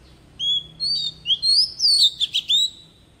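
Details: Oriental magpie-robin decoy bird in forest-style song for training young birds: a long level whistle, then upslurred notes, then a quickening string of bright twangy and scratchy syllables.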